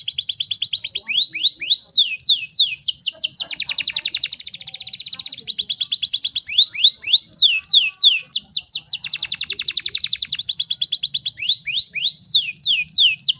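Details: Female canary in breeding condition, used to provoke singing in males; long stretches of repeated descending whistles alternate with dense buzzing trills, cycling continuously.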